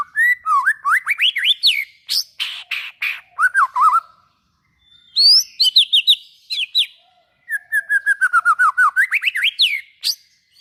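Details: White-rumped shama song meant to trigger singing in other shamas: long varied bursts of whistles, rapid trills and harsh chatter, with a fast descending series of repeated notes near the end.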